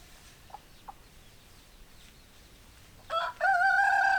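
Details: Chickens: soft faint clucks early on, then a rooster begins a loud harmonic crow, a brief opening note and a sustained second note cut off at the end.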